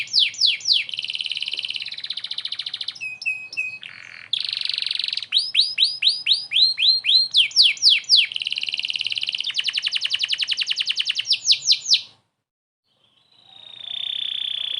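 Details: A canary singing energetically as training material for White-rumped Shamas: varied high phrases of quick downward sweeps, rattling trills and sustained buzzy notes, changing every second or two, with a brief pause near the end.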